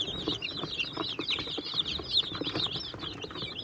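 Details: Swedish Flower Hen, Bielefelder and Catskill Homesteader chicks feeding and drinking in a brooder; many baby chickens give continuous high, slurred peeps that overlap into a busy chorus, with light tapping of beaks underneath.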